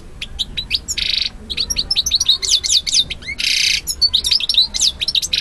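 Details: Male European goldfinch singing to a female, who accepts him: a rapid, lively twittering of high chirps and tinkling notes, broken by brief buzzy rasping bursts, continuous over several seconds.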